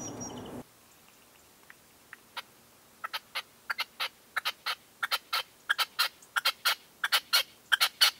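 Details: Red-legged partridge decoy calling at a dawn hunting post in 2023: after a quiet start, sharp broadband chuck notes build into a fast, steady series of paired bursts, roughly one and a half per second.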